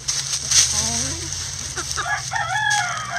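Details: Chickens kept in a backyard coop scratching down leaves; several wavering, drawn-out calls, then higher, brighter notes near the end, all over rustling leaves and a low hum.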